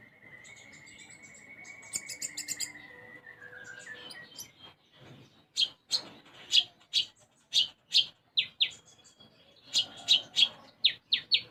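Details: Brown-throated sunbird (konin) singing energetically, its song filled with sparrow-like notes. A long steady whistle slides down, then loud sharp chirps repeat about twice a second in uneven bursts.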